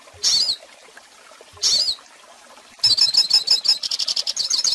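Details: Two short, high twittering bursts from a hooded siskin, separated by pauses, lead into a steady run of fast, bright chirps and trills. The recording serves to teach young birds.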